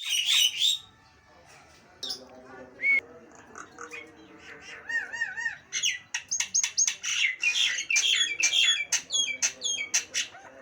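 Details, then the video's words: Harsh opening squawks from a Nias hill myna, followed by wavering whistled notes and a quick string of sharp, clicking chatter "Suara burung jalak nias bikin kuping panas"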